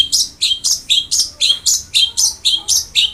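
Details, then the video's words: Long-tailed shrike (cendet) training song for a reluctant singer: rapid, evenly spaced, high down-slurred chips, about three per second, bright and insistent. "BURUNG CENDET GACOR| Masteran Wajib Untuk Burung Cendet Malas bunyi"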